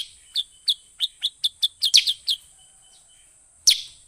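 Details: Lure call of a sooty-headed bulbul, meant to draw in wild birds. About nine quick, sharp descending chips come in a rapid string, then one louder chip after a pause. A continuous high whine runs beneath.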